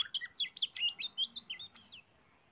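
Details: Oriental magpie-robin (kacer) song used as a lure to prompt other birds to sing: a rapid run of bright, varied whistled notes and quick slurred phrases, high-pitched, ending in a short rising squeal after two seconds.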